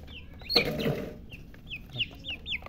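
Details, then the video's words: Baby chicks chirping: scattered short high downslurred peeps, several in the second half, with a brief broad rustling or knocking sound near the start and low background hum. "silly chicken chirping sounds with murgi hen color chicken"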